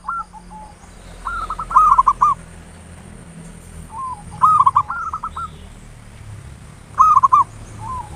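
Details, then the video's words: Local zebra dove singing, used as a pancingan lure to provoke other doves: loud stuttered coo phrases about every two and a half seconds, with softer trailing notes from a second bird, against a noisier hiss and a steady high tone. "Perkutut lokal PANCINGAN SUARA NGAYER NULOP ampuh merangsang cepat EMOSI BUNYI GACOR"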